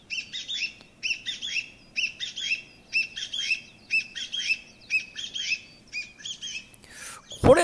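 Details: Chinese Bamboo Partridge, a pheasant relative calling from thickets, gives loud, harsh, ringing double phrases about once a second, heard as 'chotto-koi' ('come here'), repeated over and over; a brief noise burst ends it.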